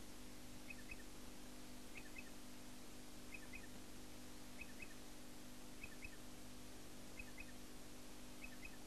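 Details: Striated pardalote (Pardalotus striatus) at Eulo, south-west Queensland, April 1995, giving soft, paired chip notes about every 1.3 seconds, faint over a steady low rumble.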